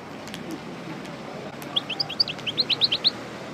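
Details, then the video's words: European goldfinch of the parva type, a breeding cage bird just out of moult. After a quiet start, a quick run of high twittering notes follows, some rising and some falling, over a steady background hiss. "Chardonneret Parva Coupleur Sortie De Mue Repasse Le Chant"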